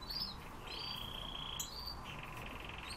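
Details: Siberian rubythroat singing: clear, sustained whistled notes, high and slightly wavering, then a lower steady whistle, over constant low background hiss and rumble.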